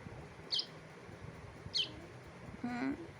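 A young bulbul gives short, high, sharp chirps about every one and a quarter seconds, with a person's voice briefly in between.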